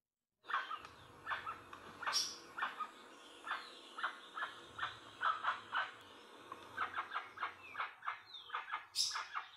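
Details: Guan, jacu or jacuaçu, calling in quick, nasal, squawking notes, loosely spaced at first, then tightening into a faster run of honks, with one shrill, higher note near the start and again near the end.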